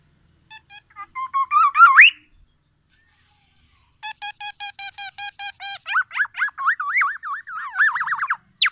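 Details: Lively song from a tame black-naped oriole. A few clicks lead into a rising wavering whistle, then after a silent gap come rapid, evenly repeated ticking notes and a run of looping, yodel-like whistles.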